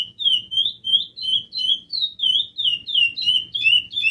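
Chestnut-bellied seed-finch singing a fast, continuous run of clear whistled and slurred notes, about three per second, rising and falling in a bright musical phrase.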